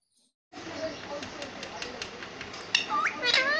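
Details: A pet ring-necked parrot, a talking parrot that says "mummy", gives a short burst of speech-like, rising syllables near the end, over steady room noise and faint clinks.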